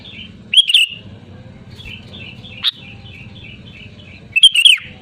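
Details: Loud Sooty-headed bulbul calling out to rivals, a lure sound: rich gurgling phrases open and close the stretch, with a sharp single note and faint twitters between, backed by a constant low hum.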